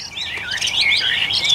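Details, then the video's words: Caged Chinese hwamei among eight tame birds, in full song: rich, rapid whistled phrases that loop and slide, rising and falling continuously, bright and loud throughout, with only a faint low background murmur. "Hoạt Họa Mi"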